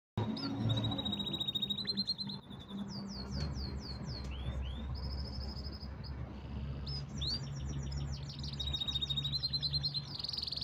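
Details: Canary singing loudly: sustained high whistled tours, rapid chopped trills and repeated up-slurred notes that change every second or two, over a steady low hum and rumble.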